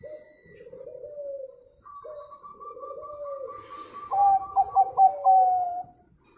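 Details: Local zebra dove song used as a lure to get other birds singing: low rolling coos, a steady higher trilling note, then a rapid series of clipped bright coo notes.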